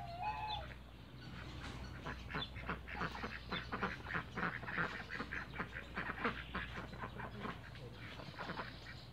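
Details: A flock of Cayuga ducks in a backyard, rapid chattering series of rough quacks at about three per second, fairly irregular, over a steady low mechanical hum and a brief whistled note at the start.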